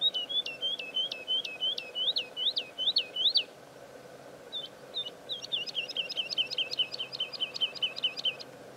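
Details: Woodlark (Lullula arborea) song at Serra do Suído: a run of sweet, fluty looping notes, a short pause, then a faster run of repeated liquid notes, over a soft steady background hum.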